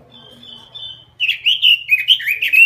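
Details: Robin singing in a small cage: a soft drawn-out whistle leads into an energetic flow of loud, varied chirping and whistled notes.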